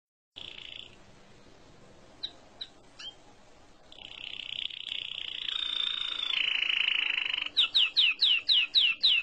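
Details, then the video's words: Small songbird singing beautifully: a brief high whistle, a few isolated chips, then a swelling high rolling trill that ends in a run of about eight quick, evenly spaced downslurred whistles. "Vean como canta de hermoso este pajarito"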